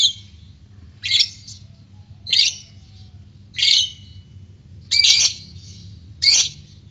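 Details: White-beaked lovebird uttering harsh, high squawking bursts, six of them spaced roughly a second apart, with quiet between each.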